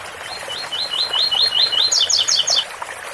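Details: Fountain water runs behind a double-collared seedeater's ouro fino song, 8x4 or 7x4 type: about eight repeated rising slurs, then four loud, high, falling double notes.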